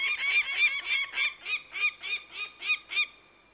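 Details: Bird of prey calling in a quick series of about ten harsh, nasal, harmonic-rich notes, roughly three per second, each slightly bent in pitch, ending after three seconds in quiet.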